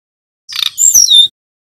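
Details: A male brown-chested jungle flycatcher, endemic to Bali, learning to sing, gives a brief, high phrase of thin whistled notes sliding downward, under a second long, with nothing else heard.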